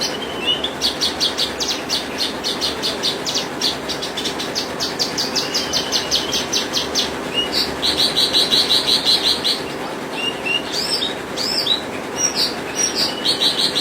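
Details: Branjangan (Horsfield's bush lark) in continuous song: fast rattling series of high notes, a sustained high trilled passage, then scattered sharp chirps, slurred whistles and varied phrases, with constant low hiss underneath.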